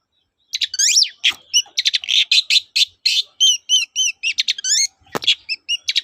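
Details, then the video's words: Long-tailed shrike in full 'toet-toet' song as a lure for silent shrikes: nonstop varied chatter of downslurred whistles, harsh buzzes and repeated rising chirps, with one sharp click near the end. "BURUNG CENDET GACOR TOET-TOET, memancing cendet macet kembali gaco"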